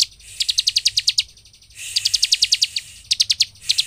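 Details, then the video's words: Energetic bar-winged prinia (ciblek) song used as a lure to rile other prinias into quick singing: runs of eight to ten evenly spaced, sharp high chips, separated by brief pauses. "Ciblek gacor untuk pancingan ciblek agar emosi dan cepat ngebren"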